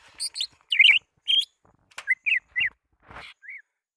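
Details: Greater green leafbird calling to rivals, a lure call: high chirps and squeaky notes at the start, then short rising whistled slurs spaced apart.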